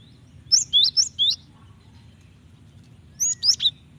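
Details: Calling Java sparrow hen, used to get a male singing; a run of four high slurred whistled chirps, a quiet pause, then three more similar notes.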